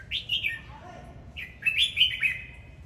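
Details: Red-whiskered bulbul singing and dancing, delivering two bursts of loud, liquid whistled phrases with quick up-and-down slurs, a pause between them, and a faint low hum underneath.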